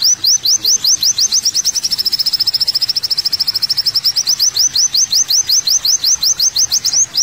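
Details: Olive-backed sunbird, locally kolibri wulung, on a masteran tutoring track for songbirds: a steady train of high, thin upslurred notes, quickening to a near-buzzy trill at mid-phrase before slowing again, with no other sounds.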